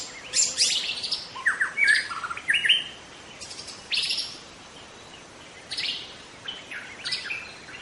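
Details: Young wild white-rumped shama from the forest singing: bursts of sharp high chips, then quick downslurred whistles and short rising sweeps, broken by brief pauses, with faint background hiss.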